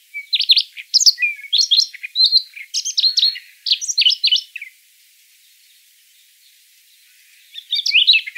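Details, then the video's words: Siberian rubythroat singing, a recording used to lure birds into traps: rapid varied warbling phrases of chirps and trills for about five seconds, a silent gap, then a fresh burst of twittering begins. "Tiếng Oanh cổ đỏ để bẫy. นกคอทับทิม"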